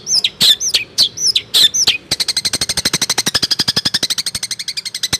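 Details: Long-tailed shrike reproducing Cipaku and swiftlet sounds: a few loud, high, looping slurred chirps, then a fast, even, buzzy rattle of about four notes per second lasting several seconds.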